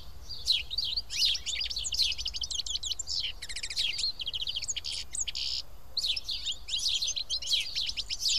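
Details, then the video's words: A group of house sparrows sitting and eating together at Karyotissa in Greece chatter in busy overlapping chirps, with a rapid trilled run midway and loud clustered bursts near the end. "Σπουργίτια (ήχος και εικόνα)"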